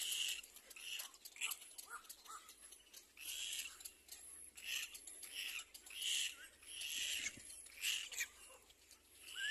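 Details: Little black cormorant chick crying while its mother feeds it: harsh, raspy, hissing bursts repeated about every second, some with short upward squeaks, over a faint steady background hiss.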